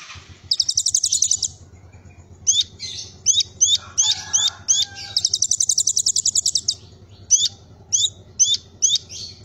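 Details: Kolibri ninja alternating rapid high buzzy trills with runs of short hooked whistled notes, repeated about every half second, over a steady low hum; cililin-style filler song.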